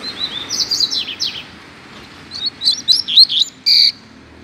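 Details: Free double-collared seedeater singing in a Brazilian neighbourhood: a quick run of high twittering whistles, a pause, then a second burst of slurred chirps finishing on a steady, sharp buzzy note.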